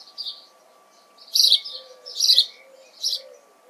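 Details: Three loud, harsh chirps from a house sparrow in June, spaced under a second apart, with soft low cooing from another bird in the background.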